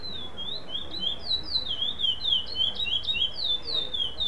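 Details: A black (curió preto) chestnut-bellied seed finch sings a non-repeating competition song that placed second at a contest stage: a continuous run of clear, high whistled notes, each sliding up or down, over a low background hum.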